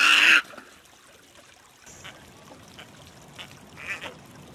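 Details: A snowy egret (Egretta thula) gives one loud, harsh, rasping croak, followed by a few faint, hoarse calls in the background.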